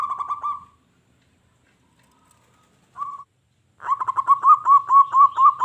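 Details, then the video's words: Local zebra dove singing vigorously to make wild doves answer and attack. A short trill ends, silence follows, a brief coo, then a loud, regular string of bouncing pulsed coos, about five per second. "SUARA PERKUTUT LOKAL GACOR.BIKIN SALING SAUT EFEK SUARA PERKUTUT LIAR.JADI EMOSI"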